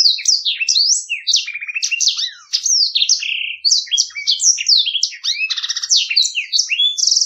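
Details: Black-throated canary giving a long, clean ngeroll song for tutoring other birds, packed with fast high whistled slurs, stuttering rattles and buzzy trills in a continuous, strongly rhythmic flow.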